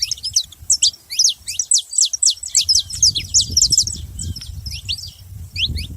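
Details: Several saffron finches singing at once, pouring out crowded high chips and short slurs in a fast, overlapping stream, then thinning out, with low rumbling background noise.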